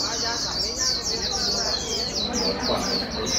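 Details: White-eye, wild-caught, being urged to sing fast: a rapid run of thin, high, slurred notes repeated steadily, with soft low background noise.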